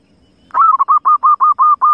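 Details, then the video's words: Wild zebra dove giving a rapid series of about eight short, clipped cooing notes on one steady pitch, evenly spaced after a quiet start. "suara perkukut liar"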